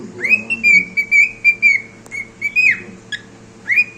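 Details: Whistling cockatiel song from a pet bird: a held, throbbing note broken into quick pulses, ending in a downward swoop, then a short click and a fresh rising note starting.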